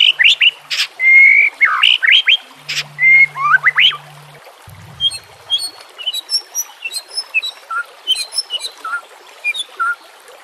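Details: White-rumped shama song for training, over nature sounds and trickling water: loud slurred whistles and clicks in the first half, then fainter scattered high notes.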